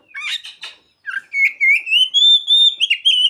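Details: Oriental magpie-robin singing learned ciblek and sogon phrases: a few scratchy chattering notes, then a loud, nearly continuous chain of clear whistles climbing gradually in pitch, rich and ringing.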